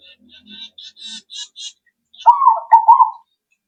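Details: Perkutut (zebra dove) lure coo meant to prompt answering birds. It opens with a run of thin, high chirps from another bird, then one loud, bubbly coo of several quick rolling notes.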